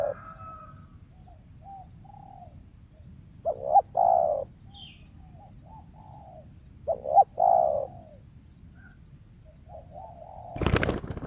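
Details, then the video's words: Wild spotted dove prized as a lure; soft scattered coo notes, then two full phrases of a quick double note and a long coo, followed by a loud burst of handling noise at the end. "TEKUKUR LIAR SUARA IDAMAN PEMIKAT"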